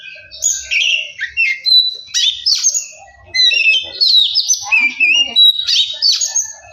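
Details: Oriental magpie-robin, or kacer, pouring out a lively varied song meant to provoke other kacer into singing and agitation. Clear whistles mixed with rapid chattering notes and bright slurred phrases, nearly continuous.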